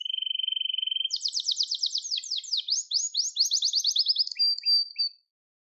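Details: Gloster canary singing for song training: a lower steady trill for one second, then high rolling tours of rapidly repeated notes, ending with a thin drawn-out whistle.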